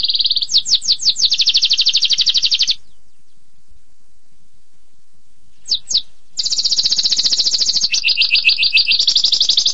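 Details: Canary opening with quick falling sweeps into a long high trill, then about three seconds of silence, two more sweeps, and a renewed trill that changes to a lower doubled roll.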